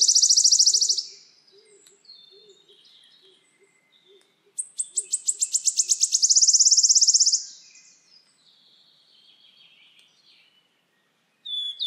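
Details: Wood warbler giving its trilled song twice: a loud shivering trill at the start, then faint background chirps and low soft notes, then a fresh run of accelerating ticks rolling into a long buzzing trill.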